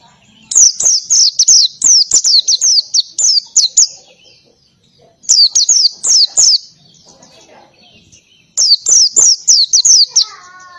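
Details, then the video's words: Ngalas-style song of an oriental white-eye with canary-like shots: three loud bursts of rapid, high, down-slurred chirps, about eight to ten notes each, separated by quiet gaps of a second or more. "PLECI NGALAS,TEMBAKAN KENARI SUPER RIBUT"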